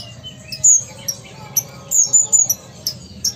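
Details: Ruby-cheeked sunbird from Sumatra, a pet contest and tutor bird, giving gacor song: thin, needle-like high notes and brief downward flicks, strung irregularly and sometimes doubled, with a low steady hum underneath.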